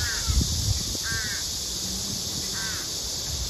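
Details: Crow calls from a female pleading with the male for food, three well-spaced hoarse, harmonic caws about a second and a half apart, set against constant high-pitched background hiss.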